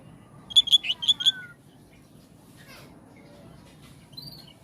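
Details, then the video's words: Oriental magpie-robin song: a quick phrase of five bright, clear whistled notes repeated evenly within about a second, followed by a short descending note, then near silence with a few faint distant chirps. "Kacer jenis apapun jika dengar suara ini langsung RESPON"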